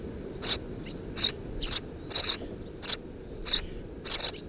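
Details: Three Eurasian tree sparrow nestlings in a nest under a house roof, filmed 2 June 2017: short, high, scratchy chirps in quick bursts, about seven to eight in under five seconds, some doubled, over a low steady background hum.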